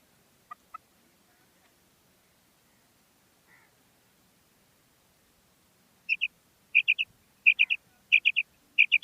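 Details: Female common quail calling: after a few faint, scattered notes and a long quiet gap, it breaks into a run of five loud, quick three-note phrases, bright and clipped, repeated steadily.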